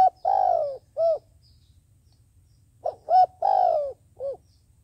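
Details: Decoy dove kept for trapping, cooing to lure other doves: two phrases, each a short note, a clipped note, a long slurred falling coo and a final short coo, separated by a two-second pause; faint low hum beneath.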